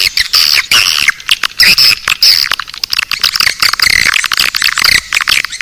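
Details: Naga Birahi lure sound for drawing swiftlets: continuous high, buzzy twittering with fast clicking pulses and short whistled notes repeated closely, forming an unbroken chattering chorus.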